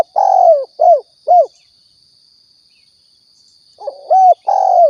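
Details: Spotted dove from Riau, a recording used to lure the birds for hunting: deep, hoarse coos falling at the end, given in a quick run of three, a pause, then another phrase, over a steady thin high whine.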